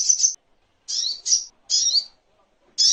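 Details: Crimson sunbird (sogok ontong) heard in a master recording for teaching songbirds: a string of separate, very high, twisting chirps and short squeaky notes with pauses between them.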